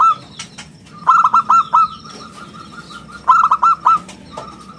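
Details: Local zebra dove singing vigorously, a clear round-toned song kept as a lure and tutor for other birds: two bursts of four or five quick, ringing, staccato notes about two seconds apart, with a faint steady tone between them.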